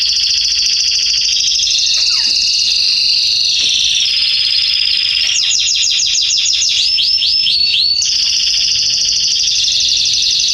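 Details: Canaries singing in a garden in September 2020: a continuous loud high warbling song with rapid trills, a run of fast repeated notes, and swooping slurred notes, all held without pause.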